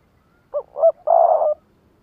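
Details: Lụp đờn cò challenge call from a spotted dove used as a decoy: two short, bouncing coos running into one drawn-out, rough, level coo, clean and close.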